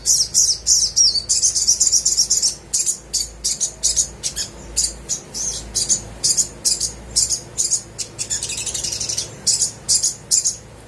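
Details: Energetic little spiderhunter song meant to spur quiet birds to sing: a rapid run of high chirps at first, then evenly spaced sharp tweets continuing throughout.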